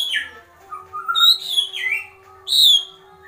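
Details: White-rumped shama, agitated, uttering kretekan notes: a falling note, a low whistle, then sharp downward slides and a bright high note that drops away, separated by short gaps.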